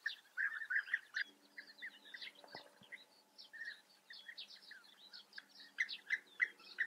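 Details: European bee-eaters at a breeding colony in the Eifel, Germany, giving many overlapping rolling, burry calls around the middle pitch range with brighter upper notes, a busy chorus of several birds calling at once, with a couple of brief low knocks.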